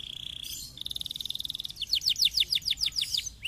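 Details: Canary song to stimulate lazy canaries: a steady whistled tone, a fast even pulsed trill, then loud descending sweeping notes repeated about five per second.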